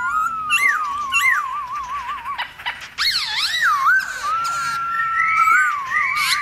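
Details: Forest-style song of a Black-throated laughingthrush, meant to excite other laughingthrushes to sing and dance: a rolling, wavering whistle broken by sharp upslurred notes, then swooping looped phrases and a long, steady whistled tone.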